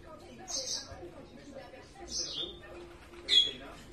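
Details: Hand-fed yellow-fronted canary nestling, one day old, giving brief high-pitched begging squeaks in three spaced bursts, the second sliding downward and the last sharp and loud, over soft background voices.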